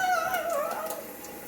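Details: Pet parrot on its owner's shoulder in a kitchen in Oviedo, Florida, asked to do its water noise, gives a wavering, gurgling whistle sliding downward over about a second, mimicking running water, with faint room noise behind.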